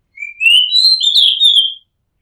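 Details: Oriental magpie-robin singing from a house rooftop in Thailand: one loud, clear whistled phrase rising from a low note into a sustained, slightly wavering high whistle lasting over a second.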